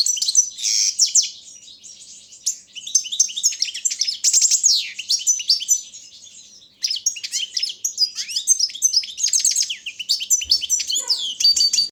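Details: Competition goldfinch of the Balkan subspecies, recorded for an internet world song championship run from Serbia: twelve seconds of dense twittering and rattles, a brief pause near the middle, then renewed chattering with a faint knock.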